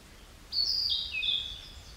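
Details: Narcissus flycatcher song, one bright whistled phrase stepping down in pitch through three or four linked notes and trailing off into a softer lower tone, background otherwise quiet.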